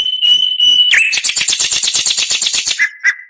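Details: Oriental magpie-robin tutoring song: a long level whistle, then a fast buzzy trill of about a dozen pulsed notes per second, closing with two short lower whistled notes.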